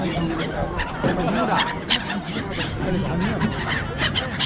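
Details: Seagull flock at Songdo, Busan, South Korea, a famous local sight: overlapping short harsh squawks and mewing calls from many birds against a steady low rumble of wind or traffic, with voices in the background.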